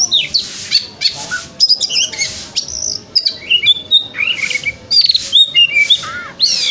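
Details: Morning 'wikplong' song of the white-rumped shama, played to stimulate another shama to open its tail; bright whistled upsweeps, descending slurs and short buzzy chatters follow each other in quick, irregular phrases.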